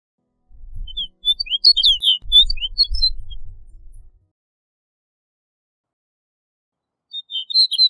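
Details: Snow bunting giving a short burst of high twittering notes with low rumbling wind or handling noise beneath, then silence, and a brief second phrase at the end.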